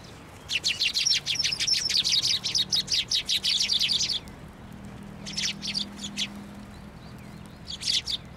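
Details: Sparrows gathering at a shrine on 22 January 2024 to take food from a narrow post: rapid bursts of high, dense chirps, a four-second stream followed by shorter chattering clusters, over a low steady hum.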